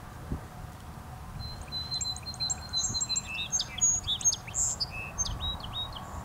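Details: Song sparrow singing in Annapolis, Maryland: a run of quick, evenly repeated high notes, then a jumble of sweet, varied trills and buzzy phrases, over a low background rumble.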